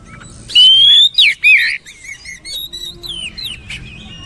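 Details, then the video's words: Oriental magpie-robin song used as training material: a long clear whistle rising around 0.5 seconds, then downslurred whistled notes and softer varied twittering phrases fading toward the end. "DENGAR KICAUAN JOSS INI"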